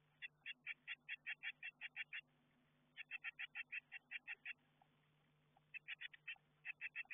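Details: Nestbox camera recording of blue tit chicks in a garden box before fledging: bright, even chip notes in quick runs of eight to ten, separated by short pauses.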